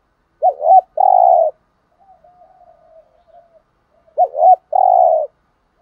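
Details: Lure spotted dove from Dak Lak, Vietnam, repeats its phrase twice: an undulating double coo followed by a thick, tremulous hoot, with a soft low murmur of distant cooing in the gap.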